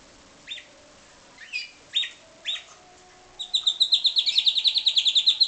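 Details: Pied Timbrado canary bred in captivity: a few spaced, rising chirps, then a fast, even rolled trill of high metallic notes sustained for two seconds.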